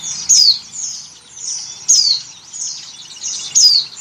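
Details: Female Oriental white-eye in breeding condition calls to the male with loud, high, downward-sweeping whistles repeated about every 1.6 seconds, with thin twittering between.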